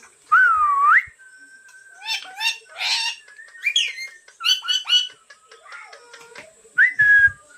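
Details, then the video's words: Talking parrot: a mix of whistled slides and rough, voice-like syllables in quick bursts, opening with a dipping and rising whistle and ending with a short rising whistle, over a faint steady high hiss. "Tohking Parrot"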